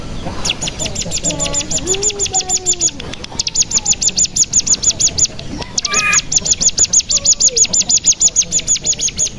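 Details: Mountain tailorbird (cigun) lure song meant to excite other cigun into trilling. Very fast, regular high ticking notes form a long trill, with softer lower warbling from other birds underneath.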